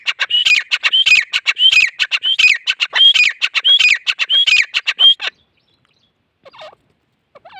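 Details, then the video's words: Rapid, rhythmic grey francolin phrases of harsh notes topped by a looping whistle, repeated about eight times over five seconds, then a pause with a few faint notes. "Gray Francolin calls"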